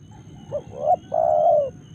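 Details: A single cooing phrase from a spotted dove in Karawang, Indonesia: faint lead-in note, short upward coo, then a prolonged level coo that fades slightly at the end; soft background hum.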